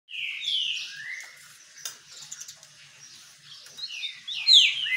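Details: Green-winged saltator singing while sunbathing: clear whistled phrases sliding downward, a loud rising-then-falling burst near the end, with a sharp click midway.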